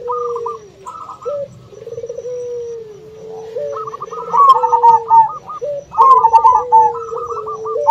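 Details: Local zebra dove calling to lure a rival into answering, blended with the coos of a second dove (puter): quick bubbling trilled notes in two bursts over lower, drawn-out purring coos that fall at the end.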